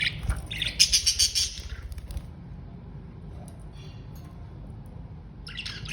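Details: Budgerigars, adults trying to teach a baby to fly, giving a quick burst of harsh, chirping chatter calls with soft wing flutters underneath.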